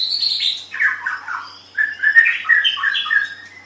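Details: White-rumped shama song recorded to tutor other birds: high thin opening notes, then descending warbled phrases and a quick sequence of bright chirped whistles.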